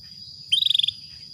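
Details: A female Atlantic canary calling for a male to spark breeding gives one fast, high trill of roughly nine pulses lasting under half a second; a thin constant whine and faint low rumble continue underneath.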